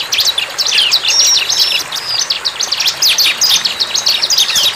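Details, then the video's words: Bar-winged prinia in its natural setting delivering an unbroken, tumbling stream of very high, sharp chirps and short trills, bright and rapid from start to finish. "CIBLEK GACOR"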